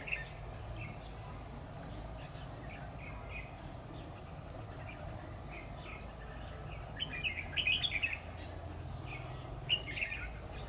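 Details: Red-whiskered bulbul decoy singing in competition during trapping on 10 October 2019; short whistled, warbling notes scattered through, louder bursts near the end, over a steady high insect-like whine and heavy low rumble.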